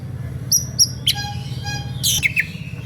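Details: Oriental magpie-robin in a heated whistling song to stir up listening rivals: two high clear whistles, a buzzy harmonic note, then a harsh squeaky chatter, against a persistent low hum.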